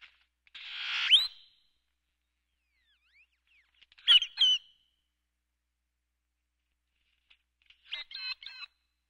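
A great-tailed grackle gives three bursts a few seconds apart: a harsh rushing note with a rising squeak, a squeaky sliding whistle, then a quick mechanical rattle.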